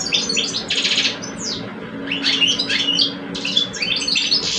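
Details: European goldfinch singing duel between two caged males in Algeria, one older, one two years old. Fast chattering twitters, buzzy rattles and short down-slurred whistles pack the short stretch.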